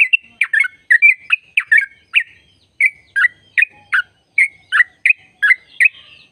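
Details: Sooty-headed bulbul giving the long 'ropel' trilling song meant to encourage caged trucuk to sing: a steady, fast sequence of bubbly, slurred notes, about two per second, with slight pitch variation throughout.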